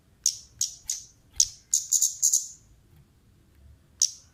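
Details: Orange-headed thrush, female, with lure calls: spaced shrill chips quickening into a close run of five, then silence before a single final chip.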